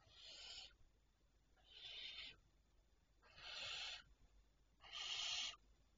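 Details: Barn owls at night, recorded 25 May 2023 at 01:51: four long hissing screeches, each under a second, spaced about every one and a half seconds, over quiet background hiss.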